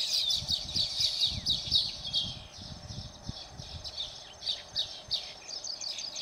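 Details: Baya weavers in Phaltan, Satara, Maharashtra, India, produce fast, crackling high chatter in bursts with thin chirps, accompanied by repeated low rustling and thumping sounds.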